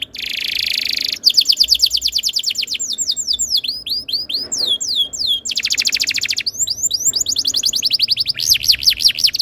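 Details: Canary tutor song for prompting other canaries to sing: a continuous varied stream of rapid trills, steep downslurred whistles and buzzy rolls, switching tour every second or two.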